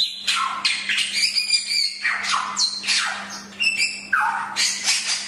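A Chinese hwamei sings a loud, continuous run of varied phrases: ringing whistles, sliding downward notes and harsh, squawky bursts, with barely a pause. A faint steady hum sits underneath.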